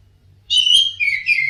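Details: Orange-headed thrush song played to get caged birds singing: a short phrase, a rich whistled note followed by lower sliding warbles, with slight low hum.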